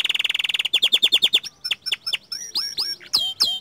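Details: Young canary singing actively: a fast, even trill of rapid notes opens the phrase, then slower downward-sweeping whistles, and finally looping, bending high notes with ringing overtones.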